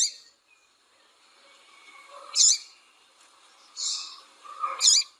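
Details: Double-collared seedeater female, calling and peeping to rouse a male to sing, gives three high, sharp chirps spaced over about two and a half seconds, with faint softer notes in between.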